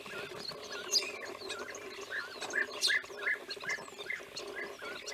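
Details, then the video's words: European bee-eaters calling in the wild in Romania, 2016: short, rough, rolling notes in an irregular series of about two to three a second over a dense background chorus of other repeated calls and a steady low hum. "Guepiers - Bee-eaters in the Wild"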